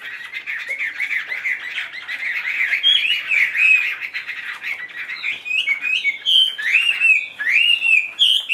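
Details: Tame caged Chinese hwamei spreading its tail, singing a loud, rich run of slurred whistles; dense warbled phrases at first, then clearer rising and falling whistled notes repeated about three times a second in a small room.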